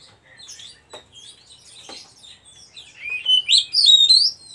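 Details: Oriental magpie-robin starting with soft scattered chirps and a few clicks, then breaking into a louder run of bright, twisting whistled notes at the end.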